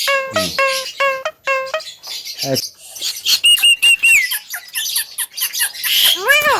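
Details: Javan myna calling with five evenly spaced ringing nasal notes, then scratchy squeaks, a level high whistle held briefly, soft chatters and a final arched wailing note.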